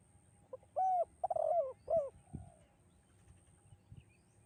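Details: Spotted dove in the 'kuk 2' song style, echoing and melodious: one phrase of low, soft coos, with a lone note, a wavering rolled coo, and a closing coo, followed by faint low thuds.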